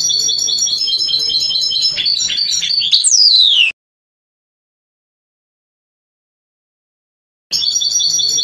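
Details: European goldfinch Trnan song from a 2020 CD: a fast repeated high trill that shifts into a few varied notes, then ends in a long, clear whistle sliding steeply downward, followed by silence and a new burst of trilling.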